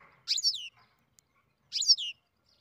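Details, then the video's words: Captive-bred European goldfinch in early beginning song: two bright, buzzy notes sliding downward, about a second and a half apart, on a quiet background. "Ξεκίνημα καρδερίνα εκτροφής (Goldfinch carduelis beginning song)"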